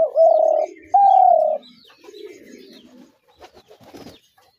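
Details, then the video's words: Spotted dove calling: two loud, drawn-out, steady coo notes, each about half a second and slightly falling. Softer low cooing and faint high chirps from other birds follow. "তিলা ঘুঘুর আরজিনাল ডাক"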